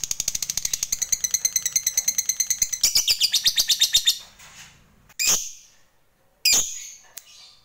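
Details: Lovebird in the long chattering ngekek panjang style, used as a lure to get other lovebirds singing: a fast, high, buzzy trill of evenly repeated notes for about four seconds, then a few sharp separate squeaks.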